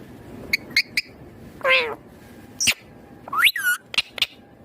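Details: Indian ringneck green parrot vocalizing with a mix of short sharp chirps, a drawn-out harmonic squawk and quick whistled upslurs, separated by brief pauses over a low background hum.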